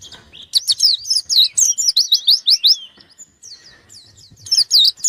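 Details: White-eye in gacor form seeking an opponent pours out a loud fast string of rising, whistled strokes and twitters, softer notes in the middle, then a final strong burst.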